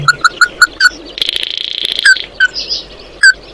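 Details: Oriental white-eye calling the flock: five quick clipped chips, a burst of buzzy chatter, then a few spaced single notes.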